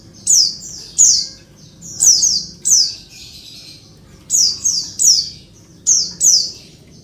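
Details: Female Oriental white-eye calling to males, used to provoke quiet males into answering: high, thin, buzzy descending chirps in short clusters, bursts roughly every half second to a second with brief pauses between groups.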